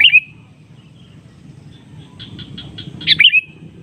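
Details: Kutilang, or sooty-headed bulbul, giving a provoking call to a rival, which replies. A loud bright chirp opens, then quiet, then a soft series of short repeated notes leading into another loud, fluttering phrase, with low background hum throughout.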